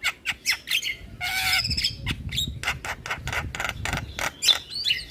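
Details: Javan myna lure song full of fill-ins to trigger replies from other mynas: clipped sharp notes, a loud harsh rasp, then rapid clicking chatter and a few thin whistles.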